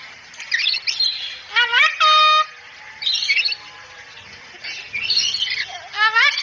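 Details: Cockatoo on a training recording meant to make a cockatoo talk quickly and chatter: scratchy chatter alternating with loud rising harmonic squawks, one held as a steady nasal tone.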